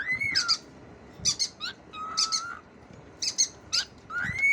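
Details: Talking cockatiel giving clear whistled notes that rise then level off, mixed with short raspy, squeaky chattering bursts roughly once a second, high-pitched throughout over a faint low background hum.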